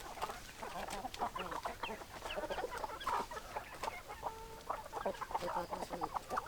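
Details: Hens clucking in a busy chorus of quick, overlapping notes, with a brief steady whistle-like tone midway through.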